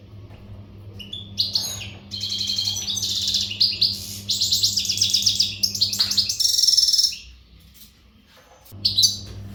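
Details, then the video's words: Caged western European goldfinch, untutored and in readiness condition, sings energetic bursts of jangling, twittering phrases separated by short pauses over a steady low electrical hum. "تغريد الحسون"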